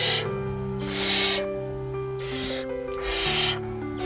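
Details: Barn owl chicks in a nest, recorded in May 2025, give harsh, breathy hisses about half a second long, roughly one per second, over soft sustained music.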